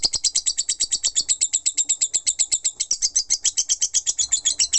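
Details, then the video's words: Rapid ngekek chatter by a lovebird, sharp high-pitched chips fired about five or six per second in a steady, non-stop stream. "Love Bird Ngekek 5 Menit Non Stop"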